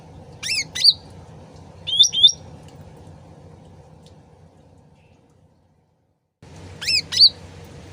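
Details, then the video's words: Sooty-headed bulbul lure recording meant to provoke quick replies. Three short bursts of rising whistled notes with a brief silent gap before the last, set against a continuous soft trickle of water. "PANCINGAN CUCAK RANTING SUARA ASLI DAN GEMERCIK AIR CEPAT NYAUT"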